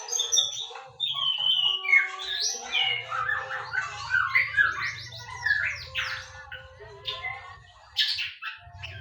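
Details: Loud, rich song of a white-rumped shama, fluty whistles and twisting warbled phrases alternating with quick sharp sweeps and scratchy notes, nearly nonstop, with a constant low hum in the background.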